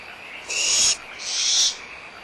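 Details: Young barn owls at Audubon Starr Ranch Sanctuary, recorded 17 April 2011 at 09:40, squabbling excitedly over leftover food with their mother nearby: two harsh, breathy hissing screeches, each about half a second long, separated by a brief pause.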